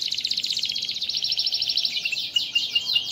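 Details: Starblue canary in melodious non-stop song, kept on an ordinary herbal mix; rapid buzzy high trills change quickly from one to the next, ending in sharp ringing chips.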